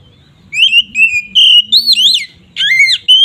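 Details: Brief ngeplong song from an oriental magpie-robin, used to provoke other magpie-robins: a handful of pure, steady whistles followed by a sliding, wavering note and a final clear whistle, faint low hum behind.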